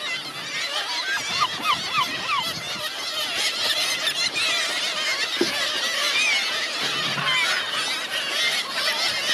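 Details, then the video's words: A flock of hungry seagulls at Helløya, 2017, crying nonstop. Near the start, a short series of four clear rising, arched notes stands out above a thick wall of overlapping squeals. "Hungry seagulls"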